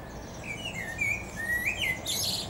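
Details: From the summit of a tree a common blackbird sings a rich, flowing series of fluty whistles, linked and gently rising, ending in a burst of sharp, high squeaky twitters.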